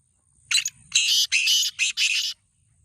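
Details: Black francolin, a kept bird, giving a loud harsh grating call of five rasping broadband bursts, the first short and the rest longer, spread over about two seconds.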